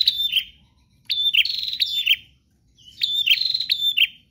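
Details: Energetic, insistent prinia song: two separate phrases of harsh, buzzy high chirps mixed with clicking trills, each roughly a second long with a quiet gap between, and a soft low rumble underneath.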